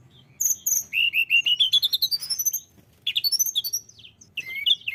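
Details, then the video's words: Persistent Sunda robin song used to lure birds: a quickening string of rising whistled notes climbing in pitch, a short pause, then a burst of jumbled high chirps and whistles. "tledekan gunung gacor cocok pancingan burung anda"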